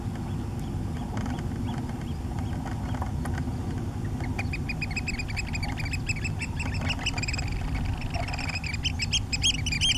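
Eurasian oystercatchers give loud, shrill piping notes in quick, rising series after a quiet start, over a steady low roar of wind or surf.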